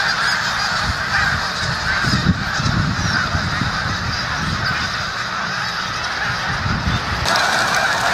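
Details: A flock of snow geese in New Jersey's Musconetcong river valley by the Delaware River, giving a constant wall of overlapping nasal honks, with low rumbling noise underneath and a brief surge near the end.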